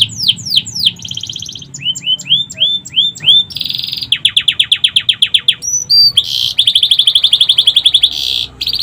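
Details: Canary song loaded with sikatan londo flycatcher imitations, used to train other songbirds: loud, varied bursts of high downswept notes, rising slurs, rapid pulsed trills and a long buzzy rattle, each phrase changing abruptly.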